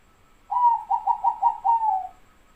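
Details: Perkutut, Bangkok and local zebra doves, singing one phrase: a longer opening coo, then five rounded bubbling notes, ending in a drawn-out falling coo. Background otherwise quiet.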